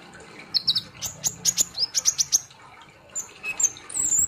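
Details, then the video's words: Very high, thin chips and short whistled notes from a kolibri ninja sunbird, delivered in a quick chattering series, the gacor ngobra nembak singing. "Terapi kolibri Ninja ( konin ) Gacor Ngobra Nembak"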